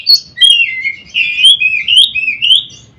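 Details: Oriental magpie-robin (kacer) in a daily mastering recording for bird training, singing a quick sequence of clear, swooping whistles and warbles, each phrase short and varied, running nearly without pause.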